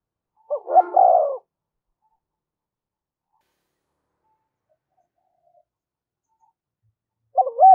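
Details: Spotted dove lure coo meant to attract wild doves: one short phrase of paired notes and a falling coo, then a long silence before another phrase begins.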